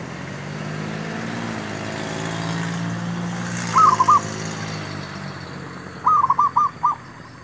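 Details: Zebra dove calling at a trapping site where wild birds are being lured: a brief two-note coo, then a faster burst of five staccato notes, set against a loud engine-like drone.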